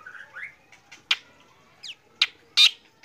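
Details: Black drongo morning song: short rising whistled notes, then scattered loud harsh, scratchy calls with pauses between them.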